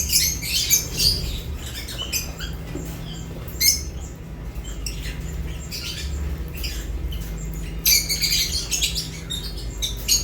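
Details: Lovebirds while eating: scattered short shrill chirps in separate bursts with quieter stretches between, plus a low hum and faint rustling.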